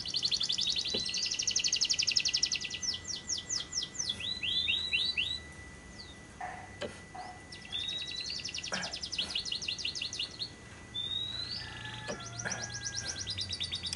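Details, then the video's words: Lovebird long-trill (ngekek) lure for day and night: bursts of fast high trills and rattling chatter separated by short pauses, with thin whistles and occasional clicks. "Pancingan Suara Burung Lovebird yang pas untuk Siang dan Malam hari, masteran labet ngekek panjang"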